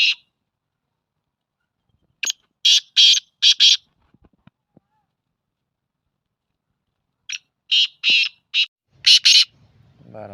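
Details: Black francolin giving grating, buzzy call phrases: a series of five or six short rasping notes, a long pause, then another similar series, ending with a low rumble.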